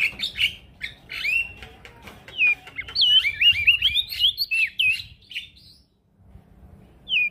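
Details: Prinia, male, singing vigorously for a bird-training recording: sharp chirps, then a long tumbling series of wavering whistled notes, a brief pause and a final single whistle.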